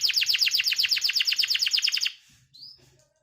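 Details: Canary singing a fast, even trill of repeated sharp notes, about four per second, for two seconds, then a short rising whistle after a pause.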